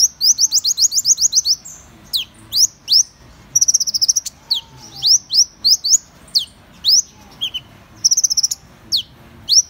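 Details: Busy, high-pitched Van Hasselt's sunbird song: a quick trill, then many sharp swept notes mixed with further short glittering trills, nearly continuous.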